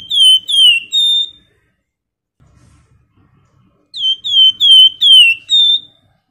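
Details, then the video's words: Flamboyan bird whistling in short series, used to get other birds singing: three clear, high, downslurred notes, a two-second pause, then a run of five similar whistles. "PANCINGAN FLAMBOYAN GACOR NYIUL CRECETAN LAWAN IKUT NGEBREN"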